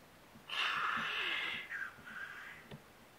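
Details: Black grouse in Norwegian woods in early spring, April 2012: a strong, harsh, rushing hiss of about a second, trailing into a softer hissing tail, with a faint click near the end.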